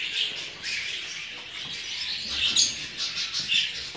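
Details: Jumbo show budgerigars kept for breeding, softer background chatter punctuated by a few clearer sharp chirps and squeaks toward the end.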